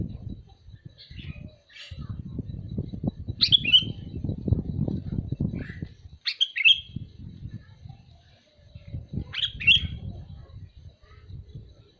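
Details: Calling sooty-headed bulbul giving three short, clear, gurgling whistled phrases roughly three seconds apart over a steady low rumble of background noise.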